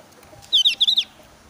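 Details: Javan grey-throated white-eye in breeding condition and highly agitated, challenging a rival rather than whistling, gives a quick burst of five high, slurred chirping notes in about half a second, over faint background hiss.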